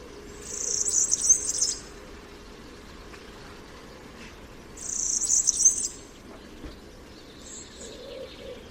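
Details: European Serin song, described as typical and diagnostic: two rushed bursts of very high, jingling, buzzy twittering, each lasting a little over a second and separated by about three seconds of quiet, with a brief faint high note near the end.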